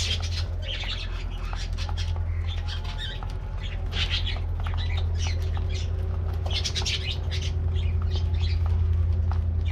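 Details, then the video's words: Several colorful budgerigars getting their morning treat, giving dense, scratchy high chatter in short repeated bursts over a steady low mechanical hum. "Routine Lifestyles Of Colorful Budgies Getting Morning Diet Treat"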